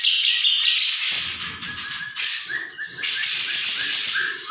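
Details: Grey-cheeked bulbul training recording meant to make other birds respond: dense, harsh, buzzy high chattering runs without pause, then short descending whistled notes repeat rapidly through the second half.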